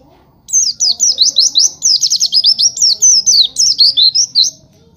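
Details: Oriental white-eye song used as a training recording: a fast, continuous stream of high, thin chirping notes, each swooping up and down, running for about four seconds, with faint lower bird chatter in the background.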